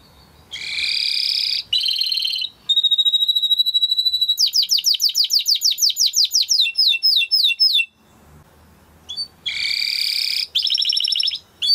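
A Timbrado canary sings buzzy rolls, a long steady high whistle, then fast metallic trills of rapidly repeated notes, closing with more buzzy rolls.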